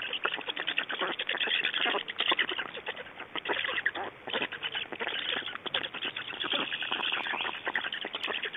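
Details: Black storks in Estonia during feeding on 8 June 2012. Dense, fast, rasping chatter pours out almost without pause, made of rapid clicking pulses in surges that rise and fall in loudness.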